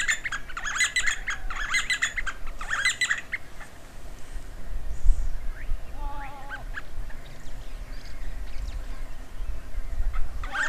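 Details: D'Arnaud's barbet duetting near Lake Baringo, Kenya: about three seconds of rapid, rattling repeated notes, then faint scattered chirps, a short wavering whistle and steady low rumbling wind or handling noise.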